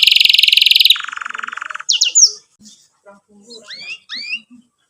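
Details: Canary in 'gacor' song with 'cuit cuit' and 'ngerol' trills, used to teach young canaries: a high fast trill dropping into a lower buzzy one, then a few sparse upward-sweeping whistles and soft chirps.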